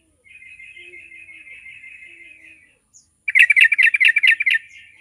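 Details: Yellow-vented bulbul (trucukan) song used as a lure to make other bulbuls start singing quickly: a steady, fairly high chattering trill for about two seconds, a short pause, then a loud burst of about eight rapid, harsh, bubbly notes.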